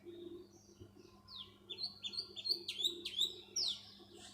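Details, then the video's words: Black sparrow chirping: a quick run of bright, high, downslurred chirps and twittering notes over a low steady hum. "Black Sparrow Calling Sound | sparrow chirping voice"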